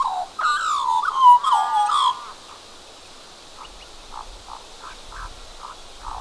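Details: Australian magpie holding a cockroach in its beak, one of two magpies present, making unusual croaking noises: loud, rough, warbling harmonic croaks for about two seconds, then faint scattered soft chirps.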